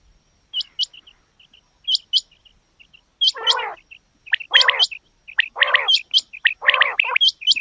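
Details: Female quails heard as sparse high hooked whistles in pairs at first, then joined by loud rasping, gargled bursts that alternate with the whistles in a steady back-and-forth.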